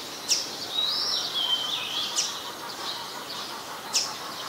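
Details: Brown-throated sunbird in Ubon Ratchathani, Thailand, on 5 February 2020: three sharp, very high, thin notes spaced about two seconds apart, with a slurred, wavering whistle running between the first two, over a quiet background hiss.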